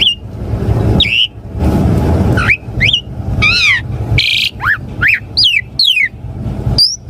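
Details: Asian pied starling song meant to make caged birds reply: rough noisy rasps alternate with rising and falling whistled notes, including buzzy downslurs and brief chirps near the end.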